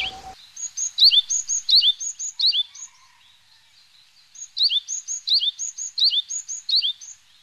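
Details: Japanese tit, a common small bird of parks and forests heard from March as breeding begins, singing bright, high two-note phrases repeated quickly in a run, a pause, then another run of the same ringing notes.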